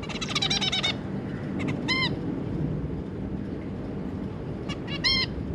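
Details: Zebra finch adult pair with their three juveniles, recorded 25 July 2022: a burst of rapid, stacked, buzzy chirps opening the recording, then single nasal, trumpet-like beeps near the middle and end over a low background hum.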